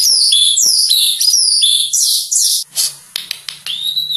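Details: Caged Medan white-rumped shama, kept for national singing contests, pouring out a fast stream of high, chattering and whistled notes before falling into clicks and one rising whistle over a low steady hum.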